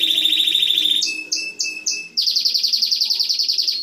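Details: Canary song moves from a steady rolling trill into a few slow two-part notes, then a rapid run of repeated downslurred chips.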